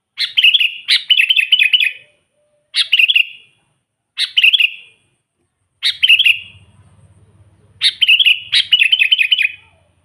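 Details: Sooty-headed bulbul singing to call wild bulbuls and rile rivals: repeated bubbly chirp-and-warble phrases, some in quick pairs, with a low hum in the background partway through.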